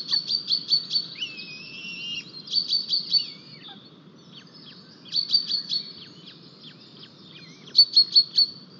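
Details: Calls at an Estonian white-tailed eagle nest holding a single new chick, 4 May 2023, during a fish delivery seen on a live camera; four tight bursts of four or five shrill yelps, spaced by pauses of about two seconds.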